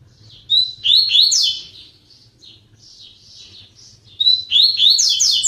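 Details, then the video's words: Double-collared seedeater singing inside a flight aviary, giving rapid strings of high, clear rising whistles and ringing notes in bursts, separated by soft chattering, over a faint steady low hum. "COLEIRO BLACK CANTANDO NO VOADOR"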